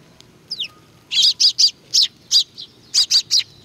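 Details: A flock of sparrows coming for food at Tenmangu shrine in Nakanoshima, June 2020, gives loud, harsh, high chirps in quick uneven bursts, after one thin falling note.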